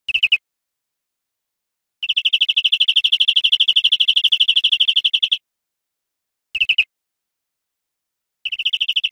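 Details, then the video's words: Greenfinch song on a recording for training cage birds: short trills alternate with a long, fast, slightly buzzy trill of over three seconds, separated by silent gaps. "Canto Verderon"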